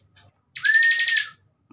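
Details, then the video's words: Bar-winged prinia, a caged bird recorded as a master for training young contest birds, delivers one short phrase: a thin steady whistle under a quick buzzy trill of about nine pulses. "CIBLEK Bren COCOK BUAT MASTERAN"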